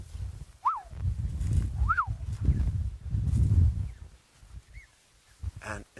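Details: A Black-headed Oriole calling around a bushwalk at sunset on an October 6 safari gives two liquid, arching whistles about a second apart, then a softer note, over a man's voice speaking close by.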